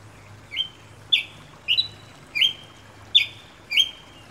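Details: Repeated song of the Brazilian Ruby-crowned Tanager (tiê-preto): six sharp, high notes, each followed by a brief buzzing tail, spaced unevenly around half a second apart, with a low droning hum in the background.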